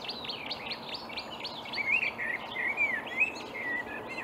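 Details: Marsh warbler singing in reeds on an early May morning in 2020 at Upplands Väsby, Sweden: a fast run of repeated sharp down-slurred notes, then sliding whistled phrases lower in pitch over steady background hiss.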